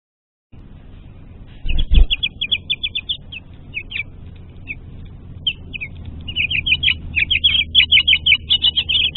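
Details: A male and female house finch at their nest in March 2020, calling to each other: short high chirps, first in scattered runs, then a quick steady series of sharp notes near the end, after a single low thump.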